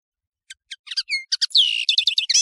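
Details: Song of a European serin (nino in Algeria, camachu in Morocco) from a training recording for birds: a few separate high chips, then a rising whistled note and a dense, shimmering buzzy trill of rapid jingling notes.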